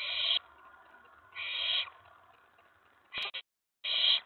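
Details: Excited owlet calling from a nest box on the night of May 19 2017 as an owl reaches the tray; four harsh hissing screeches, one cut short, irregularly spaced over about four seconds.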